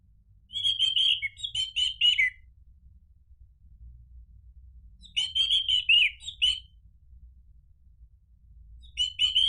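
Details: Lure song of the orange-headed thrush, meant to spur birds into ngeplong singing: dense, rich warbled phrases of about two seconds, repeated after long pauses, with a faint hum under the quiet gaps.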